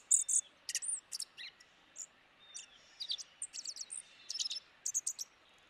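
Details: Dark-eyed junco calling with scattered high chips and short twittering clusters, fairly soft, with a faint hiss of background noise.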